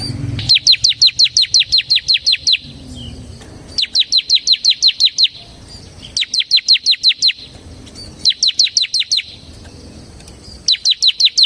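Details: Bar-winged prinia (ciblek) in semi gacor form, singing for use as lure and masteran: five runs of about ten fast, high, downward-sweeping chirps each, separated by short pauses over faint low noise.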